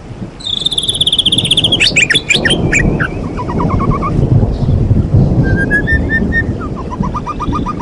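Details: White-rumped shama, champion bird, singing high trills and rapid repeated chirps over steady rain and rumbling thunder.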